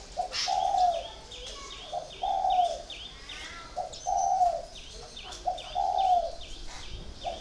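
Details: Four-year caged spotted dove repeating soft, low coos in a regular rhythm, a brief note then a longer hoot, with a continuous string of high chirps from another bird behind it.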